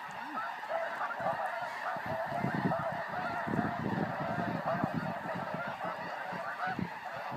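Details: Snow geese flying as a flock keep up a continuous, overlapping babble of nasal honks, thick and steady, with low rumbling thumps throughout.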